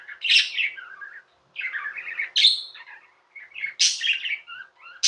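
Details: Pet budgerigars utter harsh, squawky chirps and buzzy warbles in separate bursts about a second long, separated by brief silences.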